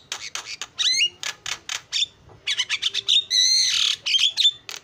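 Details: Javan myna singing a loud, varied 'gacor' song with 'isian' fill-in phrases, used as a training recording: rapid harsh squawks, clicks and buzzy notes mixed with sliding whistles and short rising chirps in quick bursts.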